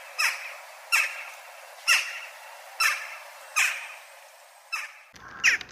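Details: Western jackdaw giving sharp, clipped 'chack' calls, each a quick falling note, repeated about once a second in a steady series, followed by a different, rougher call at the very end.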